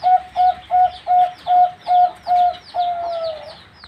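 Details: Zebra dove, a four-month-old youngster, delivering a steady series of eight short, clear coos about every third of a second, then a longer note that slides gently downward to finish.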